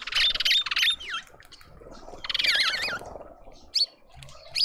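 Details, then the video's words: A party of mousebirds at a garden feeder in suburban Pretoria, South Africa, giving rasping buzzy bursts and high rippling, wavy whistles that rise and fall, then a few thin sharp notes after a short pause. "Mousebird party"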